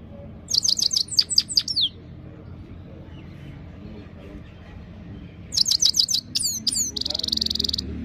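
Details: Clean-voiced Himalayan goldfinch training song, with quick high twittering phrases of repeated sharp notes, a pause, then another phrase ending in a buzzy trill over a faint low hum.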